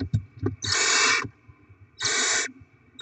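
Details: Barn owl chicks being fed rodents delivered by the parents at the nest; two loud drawn-out rasping hisses, each lasting roughly half a second, separated by quiet shuffling and low knocks.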